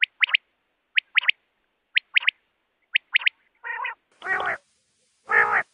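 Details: Quail calling, offered as a night call: crisp three-note phrases repeated about once a second, high and clipped, followed by three harsher, broader croaking bursts near the end.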